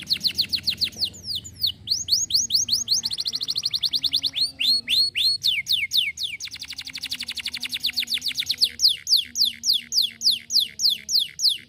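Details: Canary song used to prompt silent canaries to sing: rapid tours of high, downward-sweeping whistled notes, each phrase repeated many times before switching to a faster buzzy trill or a new slurred syllable. A faint low hum runs underneath.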